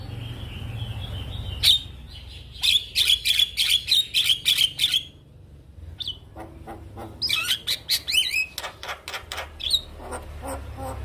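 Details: Male Javan myna in full song meant for other mynas to learn; a fast run of buzzy, rattling notes, a short pause, then sharp upslurred whistles and clicking bursts, with a low hum in the background.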